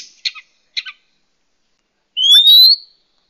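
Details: Oriental magpie-robin, a wild female calling males, used as a lure call: two short harsh rasping notes, then after a pause a loud clear rising whistle with a brief sharp note before it.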